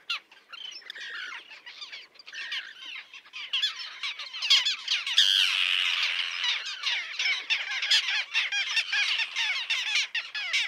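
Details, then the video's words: Breeding colony of Common terns with chicks on a concrete block by a mole, 1.5 km from the shore at Liepāja, Latvia, June 2024: continuous harsh, rasping calls from many birds, swelling into a loud, dense chorus midway. "UPES ZĪRIŅŠ /Sterna hirundo/. Upes zīriņu kolonija ar mazuļiem."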